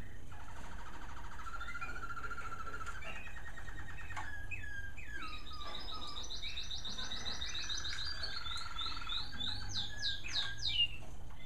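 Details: An American Singer canary bred in captivity sings in the bird rooms in the evening. The song is varied: low rapid rattles, slurred whistles, then high, quick ascending and descending note series, with a faint background hum.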